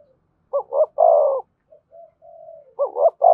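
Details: Spotted dove cooing in the low 'giọng thổ' style with 'thúc' and 'kèm' phrasing: two quick hollow notes, then a long, low, drawn-out coo, with soft faint notes between phrases and a second phrase starting at the end.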